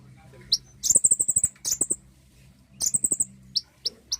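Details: Common iora prompt recording meant to encourage singing: high, rapid trilled phrases of evenly spaced notes, each burst lasting under a second, with separate sharp chips between them and low clicking underneath.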